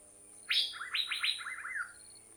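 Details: Recording from Thailand of an Asian fairy-bluebird giving one bright phrase: a high piercing opening note, then a fast string of descending liquid slurs that fades out.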